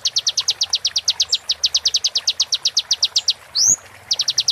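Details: Kolibri ninja sunbird roll tembak material for moulting birds: a long, fast, regular run of sharp high notes for over three seconds, one rising whistled sweep, then the rapid series starting again.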